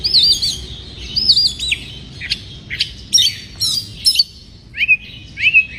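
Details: Breeding-condition white-rumped shama singing to provoke rival birds: looping warbled whistles, then sharp high notes and short rising slurs repeated at intervals, soft low hum beneath.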